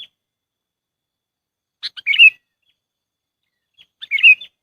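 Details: Lure call of the sooty-headed bulbul for bird trapping: two short bubbly chirped phrases about two seconds apart, each opening with a sharp note and sliding into a warbled twitter, with silence between.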